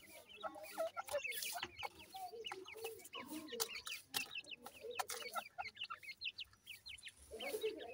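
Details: Little teetar (grey francolin) chicks feeding, with constant overlapping high peeps and chirps. Many crisp clicks and taps are scattered through the calling.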